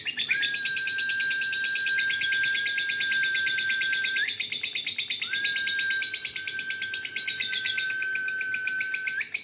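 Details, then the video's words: Dun fallow lovebird delivering a long unbroken ngekek chatter, bright and harsh with a very rapid, even pulse of chirps, while a flat high tone runs beneath nearly the whole time. "Lovebird Singgle Fighter"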